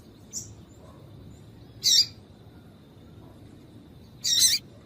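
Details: Female yellow-bellied seedeater (papa-capim) chirping, used to stimulate males to sing for singing tournaments; two sharp, bright high chirps about two seconds apart, with a fainter short peep before them, over a quiet background.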